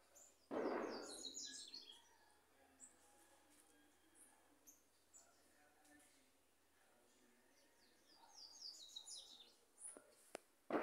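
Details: A crow gives one loud, harsh caw near the start, with faint high chirps of small birds through the quiet background and another brief loud call at the very end.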